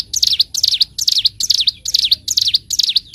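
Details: Ciblek gunung (bar-winged prinia) in full song for bird training: quick, high, looping notes in short bursts, about seven evenly spaced phrases in three seconds, each a sharp dip and rise, over a soft low background hum.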